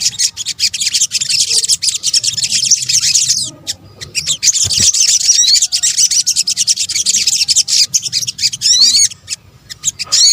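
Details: Sunbird, known locally in Indonesia as sogok ontong, in a combined lure recording: dense, high, rapid chirping and twittering runs nearly continuously, broken by a short pause near four seconds, with quick upswept notes near the end.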